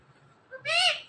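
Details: A talking rose-ringed parakeet gives one short, harsh, word-like utterance with a slight rise and fall, just after a brief softer note, over quiet room noise; the bird repeats words such as "Kasim" and "Mitu" around this moment.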